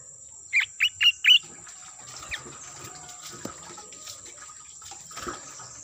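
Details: Lure recording of sooty-headed bulbul: a quick run of four loud, clear chirping notes in under a second, followed by quiet, with a constant high thin whine and faint rustling in the background.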